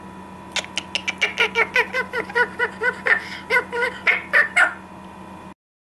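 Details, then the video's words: Cheerful talking parrot making sounds: a fast series of about sixteen harsh, gobbling calls, several per second, each rich and buzzy, rising and falling over five seconds against a steady low hum. "Cheerful talking parrot makes sounds"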